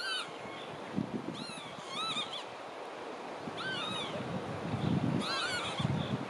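Marsh Sandpiper giving short, plaintive, ringing notes in clusters of two or three every second or so, over a low rumble of wind or water.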